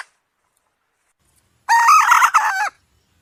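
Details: Hen giving one harsh, nasal, drawn-out call of about a second, slightly wavering in pitch, after a stretch of silence.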